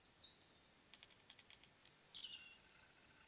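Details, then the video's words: Outdoor camera recording of birds singing: scattered high whistled notes and a brief buzzy burst, with several faint ticking clicks in between, all above a constant background hiss. "Birds Singing"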